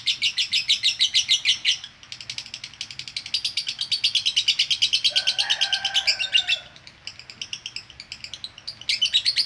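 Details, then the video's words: Female lovebird giving konslet chattering, used as training audio for other birds: fast rhythmic bursts of harsh high chatter pulsing about twice a second, pausing briefly, with a lower droning whistle midway before chattering resumes. "Masteran Ampuh LOVE BIRD Betina Konslet"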